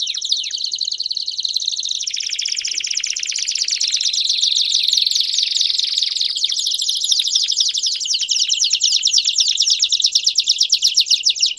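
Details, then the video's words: Belgian canary delivering a loud, sustained warbling song of rolling trills and rapid chirps, dense and high-pitched, with changing trill speeds throughout and a faint low hum behind. "Canário Belga Cantando Estourado"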